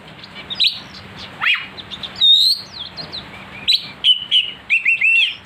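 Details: Oriental magpie-robin (kacer), singing steadily with a sharp voice as a provocation to agitate other birds: varied phrases of downward-slurred whistles, a long bright whistle near the middle, then rapid paired chirps toward the end, over a low background hum.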